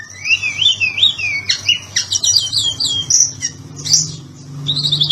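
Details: Indonesian kept Oriental magpie-robin singing energetically in the 'ngobra patah' style used as a training master: looping whistled phrases sweeping up and down, mixed with scratchy high notes and short pauses, low hum underneath.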